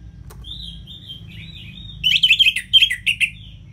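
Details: Orange-headed thrush in ngeplong-style song, played as a master to rouse lazy caged birds into singing: a thin high whistle held about a second, then a quick run of six loud, clipped, chattering notes.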